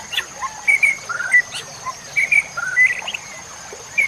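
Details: Masteran training recording of White-rumped shama song for songbirds: scattered short whistled notes and slurs at mid pitch, loosely paced, over a continuous high-pitched tone and soft background hiss.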